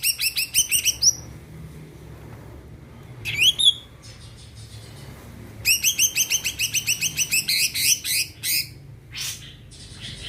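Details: Greater green leafbird, a spirited singer used to excite other birds into song, delivering rapid chirp series, a loud slurred whistle phrase in the middle, then a longer fast chattering run.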